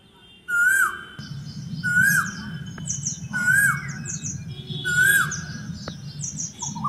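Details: Asian koel song: four loud whistled notes, each swooping up and curling down, repeated roughly every 1.3 seconds over a steady low rumble, with thin high chirps from other birds between them.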